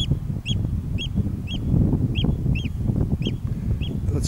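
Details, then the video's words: On the island of Ceann Ear in July 2011, an oystercatcher gives a string of about eight loud, piercing pipes at half-second intervals, backed by rumbling footsteps, wind and rustling grass. "oystercatcher call"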